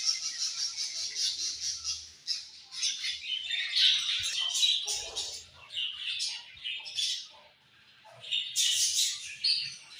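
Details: Several colorful budgerigars chatter together with rapid, rhythmic high twittering at first, then scattered squeaks and warbles, a brief lull, and a loud burst of chirps near the end.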